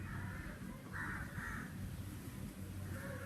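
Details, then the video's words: Crow calling in summer air: four harsh caws, two close together in the middle, with a steady low hum underneath. "sounds of the Crow"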